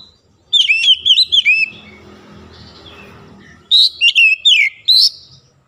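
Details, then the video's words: Oriental magpie-robin singing in morning sunlight: a quick series of five ringing, down-slurred whistles, a noisy lull, then four more loud whistled notes in a second bout. "SINAR MATAHARI PAGI SANGAT AMPUH MEMBUAT KACER LEBIH GACOR"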